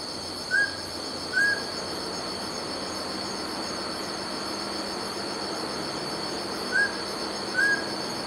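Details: Mountain scops owl repeating its double whistle: two short, clear notes under a second apart, then a six-second pause before the next identical pair, over a continuous high-pitched insect chorus.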